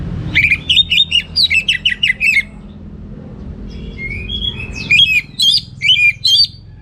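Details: Orange-headed thrush in full teler-style song, clear and rich: a two-second burst of rapid, repeated sharp twisting notes, a quieter pause, then a second burst of high chattering phrases, over a low background hum.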